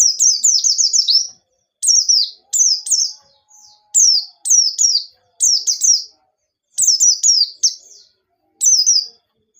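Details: High, busy white-eye song meant as a lure to set other birds singing: rapid runs of descending chirps strung into longer phrases, separated by short pauses, with a faint low hum underneath.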